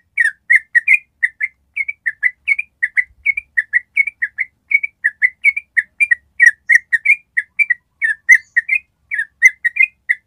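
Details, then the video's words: Yellow-vented bulbul giving a long 'ropel' trill, used as training material to get other birds to trill: rapid, continuous run of short whistled chirps around one pitch band, some slightly rising, delivered steadily for ten seconds with no other sounds. "SUARA TRUCUK ROPEL PANJANG"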